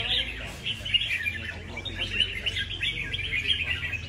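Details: A red-whiskered bulbul kept for song competitions and never yet unplaced, heard close: continuous quick chirps and twittering warbles running without pause, over a faint low hum.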